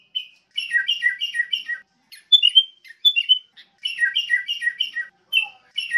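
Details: Wild sooty-headed bulbul in song: clusters of quick falling chirps repeated in bursts, broken by a few sharper higher notes, with short silences between phrases and no other sounds.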